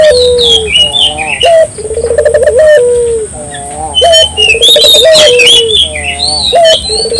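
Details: Barbary dove calling strongly, aimed at prompting local doves: several low burbling trills with long, sliding, falling coos, over a busy background of high chirping birds.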